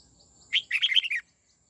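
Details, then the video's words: Red-whiskered bulbul being trained in the '89 xoắn tít' song style gives one brisk, rolling phrase of six chirpy whistled notes over roughly two-thirds of a second, with faint low background hum. "Luyện chào mào hót giọng 89 xoắn tít nghe cực phê"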